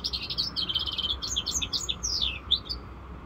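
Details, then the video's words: Young European goldfinch mule hybrid, five months old, delivers a quick stream of tinkling chirps and descending slurred notes, bright and high over a low hum. "mulet chardonneret rosse corsica 5mois"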